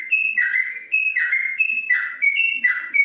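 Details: Yellow-vented bulbul in a covered cage, Kebumen, Indonesia, 'ropelan panjang' song: clear whistled notes alternating high and slightly lower, each followed by a brief downward slur, in a rhythmic sequence over a faint constant whine.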